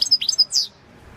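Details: European goldfinch of the balcanica race singing in a 2022 world championship entry: a brief phrase of sharp, high tinkling notes ending in a downward slur, then quiet.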